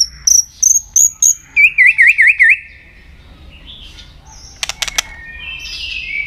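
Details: White-rumped shama song used to stimulate and train other shamas to sing: four high clear whistles, then five quick lower looping notes, followed by sharp clicks and a buzzy, rising trailing phrase.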